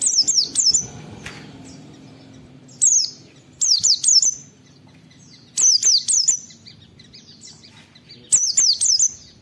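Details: High-pitched "wit wit" calling of an oriental white-eye, recorded to train and stimulate other white-eyes; repeated clusters of two to four sharp falling whistles, spaced roughly one to two seconds apart, over a quiet hum.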